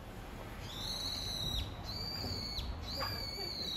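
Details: Brown-eared bulbul calling, its call read as a plea to its mate: three loud, drawn-out, high squealing notes, each level then dropping at the end, over steady outdoor hiss and faint distant noise.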